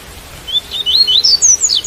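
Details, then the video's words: Double-collared seedeater singing in the Tui Tui song style, recorded with rain sound: a quick series of six or seven thin, rising whistled notes, each sweeping upward and climbing higher through the phrase. "Coleiro Tui Tui - Com Som De Chuva"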